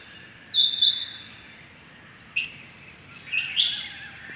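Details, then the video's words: Rain quail (chingy bateer) recorded calling in the morning on 6.7.21, giving one clear paired metallic note, then softer single chips at uneven intervals over a faint background hiss. "Amazing rain quail sounds 6.7.21 | today rain quail calling | آج صبح کی چنگی بٹیروں کی زبردست آوازیں"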